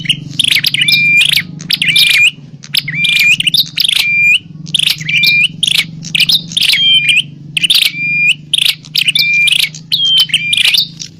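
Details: Agitated bar-winged prinia fighting call, meant to draw wild prinias: regular phrases of scratchy chirps each ending in a clear, level whistled note, repeated roughly every one and a half seconds with a low background drone.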